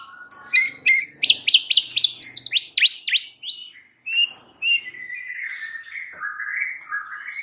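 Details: White-rumped shama song used to provoke other shamas into singing, a rapid sequence of sharp sweeping notes and repeated high chips, ending in lower warbled phrases.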